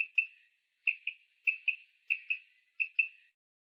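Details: A female common quail gives her call, used to lure males in for hunting: five quick paired, high, squeaky notes, roughly one pair every 0.6 seconds, against a quiet background.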